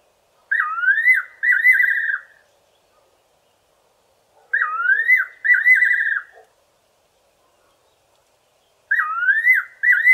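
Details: Fiery-necked nightjar singing in the evening from a tree in a garden: loud, clear whistled phrases, a descending slurred note followed by a warbling trill, the two-part phrase repeated about every four seconds in a quiet setting.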